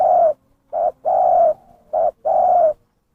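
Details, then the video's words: Terkukur (spotted dove) lure call: alternating short and long mellow coos, five notes in quick rhythm with no background noise. "suara pikat burung terkukur gacor"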